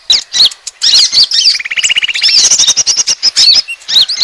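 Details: Asian glossy starling lure recording for attracting birds: dense run of sharp, high, looping chirps, broken midway by a quick rattling trill of even, lower notes lasting about a second, then more shrill twisting whistles.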